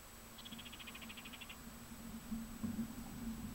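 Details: Wild-raised kākāriki (red-crowned parakeet) fledgling, from birds reintroduced to the Bay of Islands, asking its parent for food: a quick burst of about eleven high, thin chattering notes lasting one second, then only a low steady hum.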